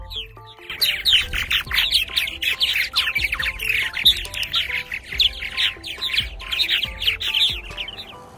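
Purple Martins chatter in a dense, continuous stream of gurgling, chirpy notes, several birds overlapping, with soft background music playing underneath.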